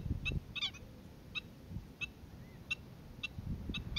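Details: Black-winged stilt calling on Boa Vista, Cape Verde, in February 2020: sharp, nasal yelping notes given singly or in quick pairs, about eight in four seconds at uneven spacing, over a low rumble of wind.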